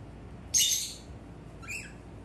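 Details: Male pet cockatiel calling in front of a mirror: a loud, harsh burst at the start, then a shorter, rising chirp about a second later, with a quiet indoor background.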